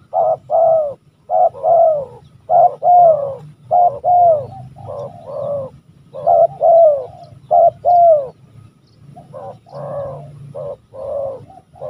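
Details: An old wild spotted dove with a large body gives a run of deep, hoarse coos in short bunched phrases, roughly one note per second, over a faint low hum. It was heard in the evening while trappers lured it with a decoy dove.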